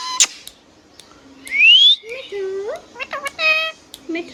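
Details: Hand-tame Rose-ringed parakeet kept as a pet, a sharp click, then a long rising whistle followed by mimicked speech syllables in a rapid burst.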